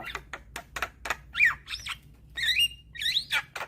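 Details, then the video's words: Short burst from a young Javan myna, used as a lure for reluctant singers: a few dry clicks, then looping whistled slurs rising and falling, each note separated by brief gaps. "Kicauan Jalak Kebo Muda Gacor Manggut2"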